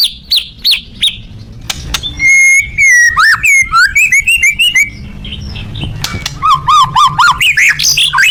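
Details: White-rumped shama in full, loud song: varied whistles, buzzy trills and rapid repeated notes, ending in a run of quick, rising-and-falling whistled notes, all over a low background hum.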